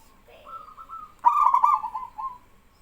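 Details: Local male zebra dove prompting trainee doves to sing along; a soft rolling coo leads into a loud stuttered burst and a purring trill, with a faint lower note early on.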